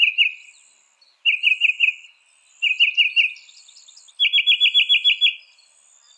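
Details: Loud, rapid Northern mockingbird (Mimus polyglottos) song: a stuttering run of clipped notes repeated three times, then a switch to a higher, faster series of about eight crisp notes.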